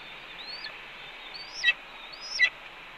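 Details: Red-tailed hawk vocalizing at a Cornell nest, 4 May 2013, early afternoon, as its mate delivers two voles and eats a pigeon; faint rising whistled notes snapping into two raspy downslurred bursts over a steady hiss.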